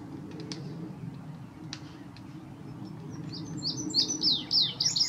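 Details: Indigo bunting, newly arrived and still molting, begins a high, sweet song of quick paired slurred notes after several seconds of clicks and low background rumble.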